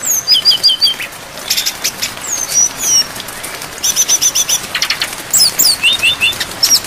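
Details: Training recording of a brown-chested jungle flycatcher's full, phrase-rich song with rain. High whistled notes come in quick stuttering bursts, separated by brief pauses, over a steady hiss of rainfall.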